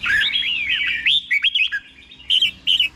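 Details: Slow doubled song of a red-whiskered bulbul for caged birds in Thailand to learn: continuous warbling whistles, a brief break, then sharp rising notes and a final short phrase.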